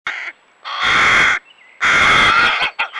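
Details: Young hooded crows, already independent but still begging for food, give harsh, drawn-out rasping caws under a second long, with short gaps and clipped notes between, on the Neman riverbank, Lithuania.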